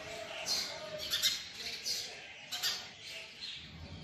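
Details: House sparrows squabbling over a nest being built in a house: sharp, squawky chirps come in quick irregular bursts, about one every second, over a quiet background.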